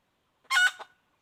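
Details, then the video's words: Wild red junglefowl hen, 2021: a single short cackling call, a loud rough note followed by a softer trailing syllable, set against silence. "suab poj qaib qus tsauj dib tuaj zoo 2021"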